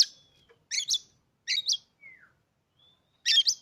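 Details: Captive Oriental magpie-robin, newly bought and previously reluctant to sing, recorded to provoke other birds into singing: harsh buzzy double bursts high up, with thin sustained whistles and a short descending whistled slur between them.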